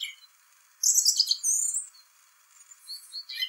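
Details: Song thrush (Turdus philomelos) singing in spring: a loud burst of high, sharp chirps, then a thin, squeaky trill, followed by softer scattered notes in an otherwise quiet setting.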